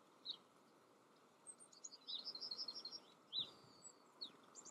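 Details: Yellowhammer in the Eifel, Germany: a quick run of about a dozen short, high, evenly repeated notes, then a louder separate note and a few thin high calls, with faint background hiss.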